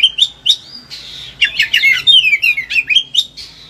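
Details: Oriental magpie-robin, caged and highly excited, singing material meant to stimulate silent birds: short clear whistles, then a tumbling sequence of quick descending slurred notes, about four notes per second.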